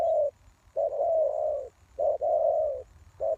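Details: Spotted dove kept as a decoy for luring wild doves, uttering low mellow coos: a quick opening note joined to a long, even, rolling coo, three phrases in a few seconds.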